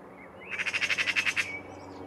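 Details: Eurasian magpie taunting a cat in Île-de-France, France, April 2023, giving a harsh, dry rattling chatter of about ten rapid grating notes in under a second over faint background hiss.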